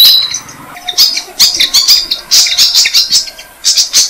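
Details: Malaysian pied fantail nestlings, six days old, being fed on a jam tree; a near-continuous stream of raspy, buzzy high chirps rises and falls in clusters, with faint wing flutter.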